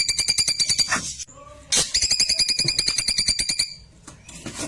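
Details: Klewer delivering its rapid-fire tembakan song, used as a model for white-rumped shamas: long runs of quick, buzzy, ringing notes repeated about three times a second, broken by a brief pause with soft lower whistles.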